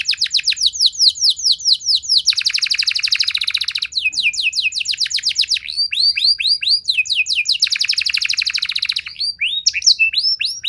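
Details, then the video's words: Lure song of a canary, used to make other canaries respond and sing: loud, rapid rattling trills switch to series of sharp, falling whistled syllables, then back to trills, continuous throughout. "Kenari Mana Saja Bakal Nyaut Cepat Respon Jadi Gacor Nembak Panjang"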